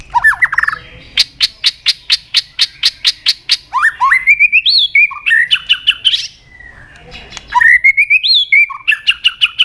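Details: Murai batu, white-rumped shama, in gacor lure song: a rapid string of sharp chipping notes, then bright rising whistles and trilled phrases, repeated with short pauses.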